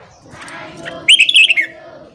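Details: Morning song of a Red-whiskered bulbul, played to train newly caught birds: a loud, quick, warbling phrase of slurred whistles that falls slightly at the end, over soft background chatter.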